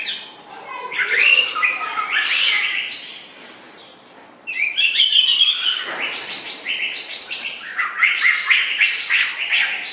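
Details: White-rumped shama song for training other songbirds: dense, rapid chirps and twittering phrases, broken by a brief lull, then resuming in fast, varied bursts.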